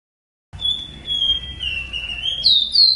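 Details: Ruddy-breasted seedeater song used as a tutor recording to teach captive birds to sing: after a brief silence, a long, clear whistled note holds steady and sags slightly, then steps up into higher, brighter whistles near the end, over a faint low rumble.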